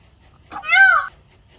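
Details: One peacock cry, a loud nasal wail lasting about half a second that rises slightly then drops away, with silence around it.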